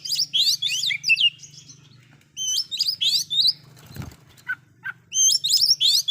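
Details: Oriental magpie-robin with a loud, provoking filler-phrase song: dense bursts of twisting high whistles and chirps, a pause with a single dull thud, then renewed rapid whistled phrases.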